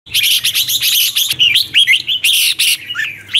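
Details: Red-whiskered bulbul morning song used for training, in the twisted-voice style with chattering meant to rouse newly caught birds: dense bursts of bright, twisting whistled notes, then looser slurred rising and falling phrases.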